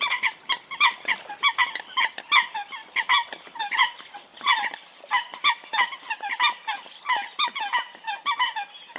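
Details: Eurasian coot flock chatter: a steady stream of honking, nasal notes crowded densely together, loud and continuous, with several birds apparently overlapping.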